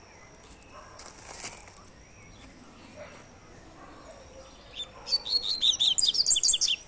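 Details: Double-collared seedeater singing the "tui tui" three-note song type: after several seconds of quiet rustling background, a loud, fast burst of high, sharp chirped notes repeated rapidly for about two seconds.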